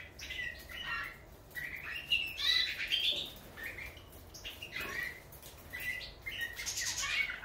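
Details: European goldfinch of the subspecies major singing a liquid, twittering song: quick tinkling chirps and short trills in repeated bursts, over a steady background hiss.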